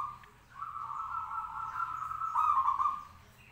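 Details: Caged local zebra dove singing vigorously to draw answers from other doves: a sustained, trilled cooing phrase of about two and a half seconds at steady mid pitch, growing louder toward its end.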